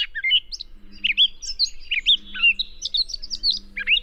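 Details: Mimicking Gray Catbird, copying sora rail, western wood pewee, Wilson's snipe and Pacific tree frog: a continuous tumble of quick, squeaky chirps and slurred notes, with a faint low hum underneath.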